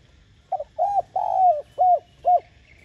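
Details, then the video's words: Spotted dove cooing to urge and lure wild doves: a phrase of five soft, mellow hoots, a short note, a rounder one, a long drawn-out middle coo, then two brief closing notes, in quiet surroundings. "Tiếng Cu Gáy Giọng hay GỌI +THÚC Dục BỔI Kích Bổi Nhanh Nổi"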